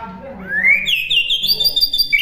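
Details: Rising whistled sweep from a white-rumped shama, climbing steadily and then holding as a high, wavering ringing tone. The recording is used as a master for birds to imitate.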